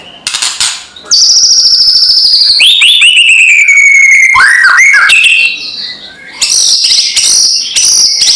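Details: Loud white-rumped shama kretekan, a lure call meant to agitate rivals: a rapid crackling pulse opens, then long sliding whistles drop gradually, followed by short looping notes and bursts of sharp, high chattering.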